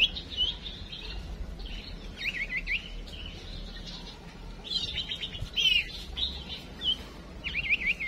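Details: A songbird female's decoy call, used to prompt males to sing: clusters of wavy, looping whistles and brief trills separated by short pauses, with low hum in the background.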